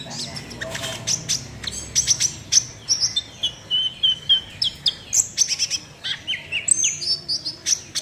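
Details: Long, lively sunbird song in the 'nembak' style, a steady stream of sharp high chirps and short whistled notes, several per second, for about eight seconds.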